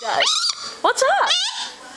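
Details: Pet galah (rose-breasted cockatoo), a 6-year-old male, cackling indoors: a quick run of raspy, voice-like squawks and gliding chuckles, rising and wavering like a laugh.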